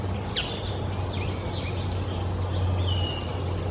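Japanese grosbeak giving clear, fluting whistles that slide up and down in a short varied phrase, over a steady low rumble of background hum.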